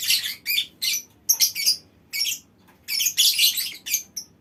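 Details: Colony-calling lovebirds give piercing, squeaky chirps and harsh short trills in quick bursts, several birds overlapping, with a brief gap midway.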